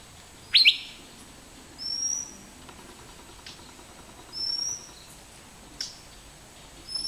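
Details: Asian fairy-bluebird giving a single loud, sharp whistled note, followed by several very high, thin whistles from another bird repeated every two to three seconds.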